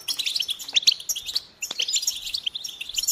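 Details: Goldfinch song: rapid liquid chirps and sharp twittering notes with a short silent gap midway before the high jangling phrases pick up again.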